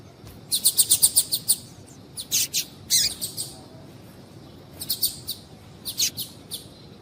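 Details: Female double-collared seedeater call used to excite a male: a rapid run of about eight high, thin chirps, followed by a few louder buzzy notes and later short chirp clusters.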